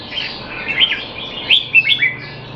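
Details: A Singapore-kept red-whiskered bulbul in training, noted as out of form, recorded 25 December 2020, gives a lively run of looping, slurred whistles, rising then dropping, ending in three clear emphatic notes.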